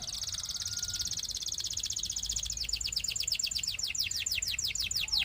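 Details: Belgian canary, a male, in song: a long, even, bright trill that breaks into a series of sharp descending whistled strokes, repeated about every quarter second.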